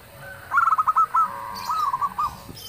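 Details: Single phrase from a loud local zebra dove whose song prompts other birds to respond: a quick string of staccato coos, a held even tone, then softer stuttered notes, with a faint high chirp behind.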